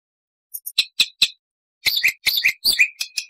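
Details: Black-winged starling tutor song: a few soft high ticks, sharp clicks, then a cluster of harsh, squeaky downslurred notes and a thin sustained whistle.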